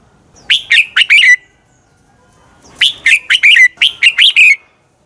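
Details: Red-whiskered bulbul fighting song used to train birds: a phrase of four rapid whistled notes, then a longer run of about eight lively warbled notes, bright and fairly high, ending on a slurred tail.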